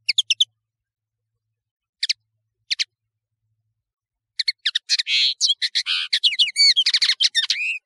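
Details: European serin, a training recording: scattered sharp high chips at first, then from the midpoint a rapid, continuous jingling song of buzzy trills and tinkling notes to the end.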